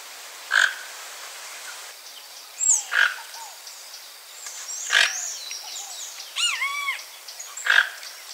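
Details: A Toco toucan visiting a backyard papaya tree in Brazil to eat its fruit. Gruff, rasping croaks repeat roughly every two seconds, about four in all, while other birds give chirps and arched whistled notes around them.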